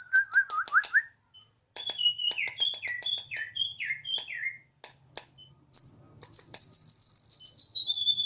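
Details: Home-kept Bornean white-rumped shama singing with spirit like a siren: low wavering whistles, then rapid high piping notes, falling slurred phrases and a long sweeping whistle that glides downward.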